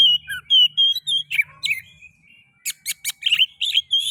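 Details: Oriental magpie-robin singing, meant to prompt other magpie-robins into song: a continuous run of clear whistles and rapid chirpy notes with a short pause midway, over a faint low hum.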